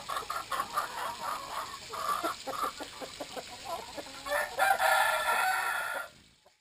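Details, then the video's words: Flock of Brahma chickens calling at water time: quick, repeated clucks in a loose rhythm. A loud rushing noise swells in the last seconds, then cuts to silence. "time for water - brahma chickens.."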